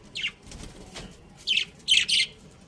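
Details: Pet budgerigars chirping: one short rasping note, a pause, then a quick cluster of three loud, high, grating chirps against a quiet background.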